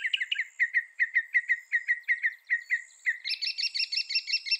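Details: Northern mockingbird delivering a rapid string of chirped notes at an even pace, then shifting to a higher doubled, buzzy chatter repeated many times.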